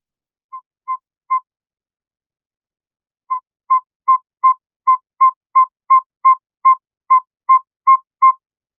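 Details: Northern saw-whet owl toot, the territorial call the male gives on his breeding grounds in Canada: clear, mid-pitched whistled notes repeated steadily, nearly three per second, in a long even series after a brief pause.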